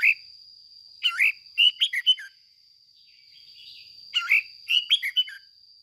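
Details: Red-whiskered bulbul used as a lure, giving its ché song: two lively warbled phrases of five or six quick liquid notes each, a pause between them, over a faint constant whine.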